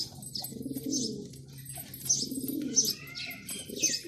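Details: Performing male pigeon with deep, throaty coos swelling and fading in rounds about a second long, while bright high chirps of other birds and a soft low hum run throughout.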